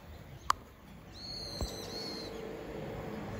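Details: Common kingfisher at Zenpukuji Park, Suginami, Tokyo, filmed by smartphone with a telephoto lens: one thin, high, level whistle lasting about a second, preceded by a sharp click, over a faint steady background hum.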